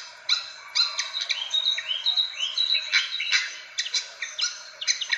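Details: Fantail calling, played as a lure for birds: about two sharp notes per second mixed with arched whistled slurs, giving a lively, irregular squeaky chatter.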